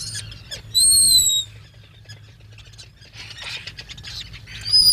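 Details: At the nest burrow, a black guillemot gives a clear, thin, level whistle, then quieter scratchy sounds and a second piercing whistle at the end, all over a constant low hum.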